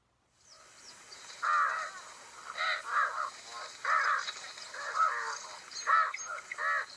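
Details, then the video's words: African spoonbills give harsh, nasal, croaking calls in short bursts about once a second, over a murmur of many other birds calling in the background. "So let's listen to what African spoonbills sound like really quick."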